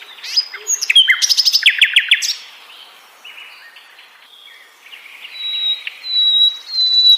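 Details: Sikatan londo flycatcher singing: a burst of rapid, sharply repeated high chirps and short trills, then quieter buzzy notes and sustained thin high whistles near the end.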